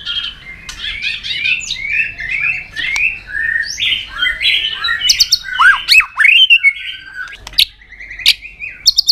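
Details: White-rumped shama in training, provoked into an intense fighting song with tail flicking on its perch. A jumbled, rapid stream of short warbled notes, then sharp looping whistles and scattered high clicks.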